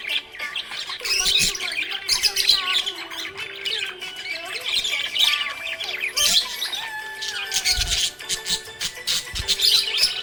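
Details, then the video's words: Cheerful budgerigar chatter: dense, scratchy squawks and high chirps pour out continuously, with short pauses and a steady humming tone beneath. "Happy budgie chirping sound"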